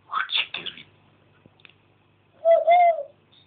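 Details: Pet African grey parrot indoors, filmed from a camera on a fish tank, chattering: rough speech-like syllables, then a tonal whistled phrase with a slight rise and fall, ending with a quiet background hum.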